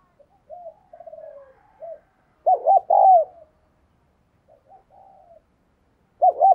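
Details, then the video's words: Decoy spotted dove calling with urging coos meant to make other doves sing. Quiet murmured notes give way to a loud three-part coo. Another phrase begins at the end. "Chim Cu gáy Thúc Gù Căng Đét - Chim Cu Mồi"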